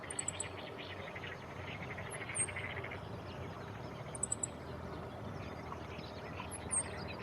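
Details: Male Meadow Bunting on a tree branch near a large irrigation channel, 28 May 2017, holding food in its bill. It gives ground calls plus higher calls: a thin sharp triple, then a falling note, over insect hiss. A nest with chicks may be nearby.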